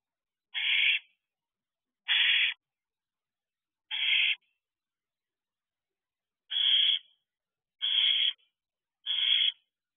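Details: At dusk, 8:37 pm on 8 July 2023, a young owl in its thirteenth week returns near the owl box to beg for food. It makes six raspy hissed screeches with gaps of one to two and a half seconds and a quiet pause mid-sequence.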